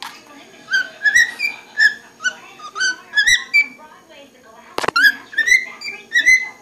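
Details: Pet cockatiel sitting in a liquor cabinet chirps almost continuously, with short whistled notes bending up and down in quick succession, interrupted once by a sharp knock or click, indoors.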